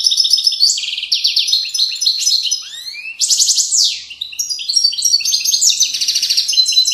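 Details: European goldfinch singing an authentic Widaniya-style song from the banks of Moroccan valleys: a dense, unbroken rush of high twittering notes, liquid trills, sharp downward-sweeping whistles and buzzy rattles, loud and clear with no other sounds.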